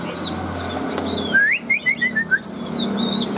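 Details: Tame Chinese hwamei, a large-bodied cage bird from Vietnam noted as a strong singer and fighter: a descending run of six short whistled notes, then long high sliding whistles, over a low background rumble.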